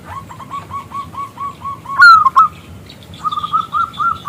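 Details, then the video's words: Zebra dove of local stock calling a male to answer: steady series of soft repeated coo notes, a sudden loud rising-falling burst midway, then a quicker run of higher coos with faint chirping behind. "PERKUTUT lokal Gacor Suara BESAR Kristal Memanggil JANTAN ngajak BUNYI"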